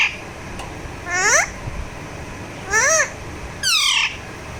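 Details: Alexandrine parakeet kept as a pet, vocalising during a massage: three separate harsh, arching squawks about a second apart over a quiet indoor background.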